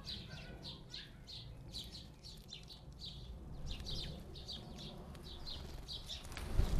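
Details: House sparrows squabbling at a garden bird feeder fire off rapid, insistent chirps, roughly two to three a second. A low hum runs underneath, and a loud thump sounds near the end.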